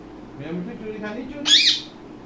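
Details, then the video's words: Indian ringneck parakeet that talks and copies sounds: murmured speech-like phrases, then one loud, harsh, high squawk that ends the sequence. "Ringneck Talking parrot"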